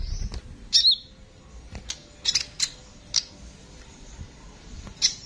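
A sunbird gives sharp, very high chips and short buzzy trills, spaced unevenly about every half second to a second, over a quiet background.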